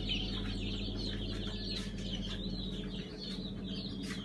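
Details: Freshly hatched Brahma chicks in a hatchery, August 5, 2019, Kurban Bayramı holiday: a busy overlapping chorus of thin high peeps, about three per second, layered on a steady low mechanical drone.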